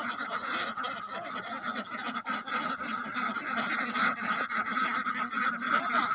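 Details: Many ducks calling together, a dense unbroken chorus of harsh, nasal quacks overlapping continuously with no pauses.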